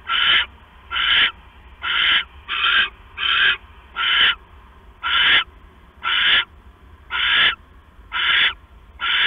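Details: Owl at night, September 6, 2015 at 10:52 PM, male bringing a mouse to the female; repeated rasping, screechy hisses about once a second, a few paired closely, eleven bursts in all.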